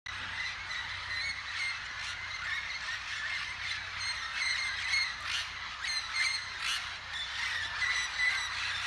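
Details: A flock of red-tailed amazons flying over Paranaguá, Paraná, Brazil, in March 2020. Dense, overlapping harsh squawks and raucous calls from many birds run without pause throughout, with no other clear sounds.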